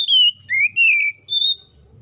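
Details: White-rumped shama (kacer) singing loudly in ngeplong style to call a rival: three or four clear whistled notes, one rising swoop then level tones, over faint low hum.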